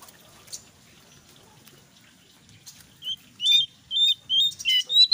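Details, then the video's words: Brown jongkangan singing in lively ngeriwik style mixed with ngeplong, used as a lure to get untrained jongkangan birds to sing: near silence, then from three seconds a run of loud, short, high chirps and rising whistled notes in quick bursts. "SUARA BURUNG JONGKANGAN COKLAT NGERIWIK GACOR"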